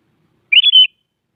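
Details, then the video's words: Single bubbly phrase from a sooty-headed bulbul at morning, sung to provoke a rival: three rapid whistled notes run together, the last slightly lower, in a quiet background. "Suara Burung Kutilang Pagi Hari Mengajak Lawan Adu Bunyi"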